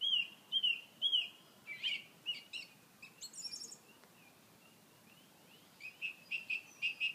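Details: A song thrush in Edinburgh Botanic Gardens on 29 May 2013 sings loud, clear whistled and chirpy phrases, each repeated two to four times before switching, with a faint background hiss.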